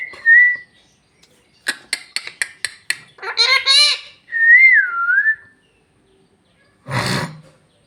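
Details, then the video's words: Talking parrot mimicking Bhojpuri speech: a clear high whistle, then a run of sharp clicks, a short burst of harsh, voice-like syllables, and a falling whistled phrase, ending with a brief noisy sound. "Bhojpuri talking parrot"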